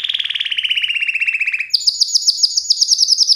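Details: Canary song with a fast, rolling trill dropping gradually in pitch, then a jump to higher, rapidly repeated bright notes.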